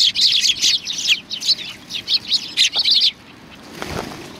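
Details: Sparrows gathering to be fed at a Tenmangu shrine, November 2020, giving a steady stream of high, quick chirps for three seconds, then falling silent apart from a soft low knock.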